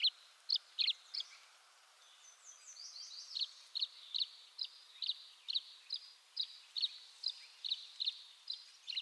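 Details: Tree swallow from eastern North America: short bright chirps near mid-high pitch repeated about every half second, with a brief sweeping twitter of higher notes partway through.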